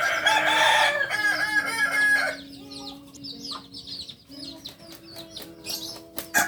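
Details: Kokok Balenggek chicken, the native singing chicken of Solok, bred in Solok city, West Sumatra, Indonesia: a long harmonic crow of quick stepped, pulsing notes lasting about two seconds, followed by faint high chirps from small birds.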